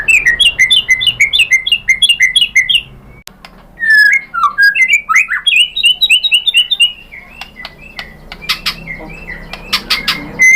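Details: White-rumped shama singing a lure song to draw an answer: rapid repeated whistled phrases, a brief gap, then a looping chain of warbled notes with scattered sharp clicks and chips.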